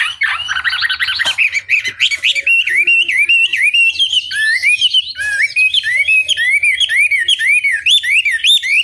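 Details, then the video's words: Long Chinese hwamei song played to goad rival birds into answering: after a brief harsh start, a steady stream of loud, wavering whistled notes, rising and dipping in a rolling, repeated pattern. "Pancingan Masteran Wambi Durasi Panjang Efektif Pancing Lwan Agar Nyaut Emosi Gacor"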